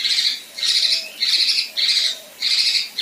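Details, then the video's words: Rough 'tembakan' phrases from a female kinoi, used to tutor competition songbirds: grating, noisy bursts repeated about every half second with short gaps between, strong and steady, with nothing else audible. "Besetan Dan Tembakan Kasar Kinoi Betina"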